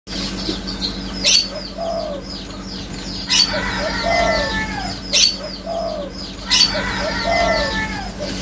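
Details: Spotted dove giving low, hollow cooing phrases, each a short note followed by a longer, slightly wavering coo, repeated about every two to three seconds over constant high chirping from many small birds and occasional sharp clattering bursts.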